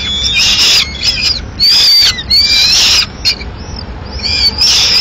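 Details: Peregrine falcon nest in Madrid at mid-morning feeding time as the female arrives with pigeon remains; high, thin, harmonic wailing calls come in bursts of under a second, some sliding slightly downward, with short gaps between.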